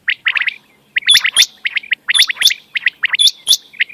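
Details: Quail calls used as a lure for night hunting: quick clusters of sharp chirps near the middle register, overlapping with thin high clicks and whistles. Notes come in irregular bursts of three to five with short gaps.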